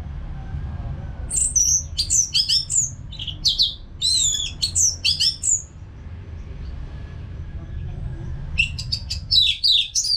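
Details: Orange-headed thrush kept in a cage, singing without pause as a training sound: varied, rich whistled phrases with sharp clicks and slurred notes, a quiet stretch, then a fresh burst of fast chattering whistles.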